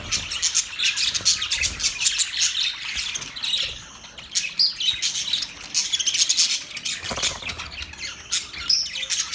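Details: Budgerigars in a mating context: a dense, continuous high warbling chatter of several birds, with scratchy chirps and squawks overlapping throughout and brief quieter dips around the middle.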